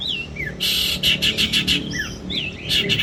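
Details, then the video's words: Trained long-tailed shrike used for competition practice, mixing clear whistled slurs that swoop up and down with loud harsh buzzy bursts repeated in quick succession. "BURUNG CENDET GACOR FULL NEMBAK KASAR"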